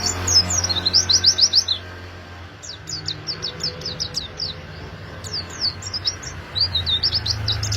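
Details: Oriental white-eye in full song, used to coax other white-eyes into singing: rapid high chirps in quick rolling runs, a burst early then another series after a pause, over a low background hum.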